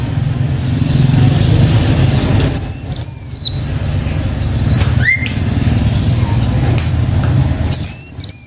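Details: Decoy singing of a blue-winged minla belonging to a H'Mông keeper: high whistles falling in pitch, one quick upward sweep, then a final whistled phrase, all above a constant low-pitched background hum.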